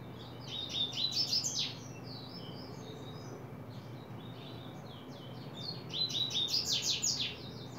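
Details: Double-collared seedeater (Sporophila caerulescens) gives two quick, high, twittering song phrases about five seconds apart as it opens into song in July 2024, over a steady low background hum.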